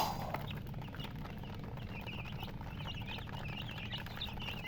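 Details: Colored hen chicks chirp as a group: a brief louder note opens, then quick high peeps and short rising cheeps pile up over a low rumbling background.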